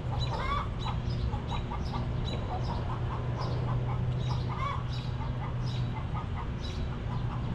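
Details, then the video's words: Hens in a backyard coop cluck almost nonstop. Short, choppy notes overlap from several birds, with a few brighter, rising clucks early on, over a continuous low hum. "Rooster Crowing! Hens Clucking!"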